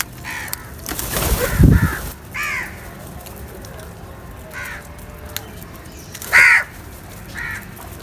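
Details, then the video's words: Crows feeding together give scattered harsh caws, one close and loud near the end, others fainter, with a brief low rumbling thump early on. "Beautiful Crow Video Feeding Together | Crow Unity For Food | Crow Sounds"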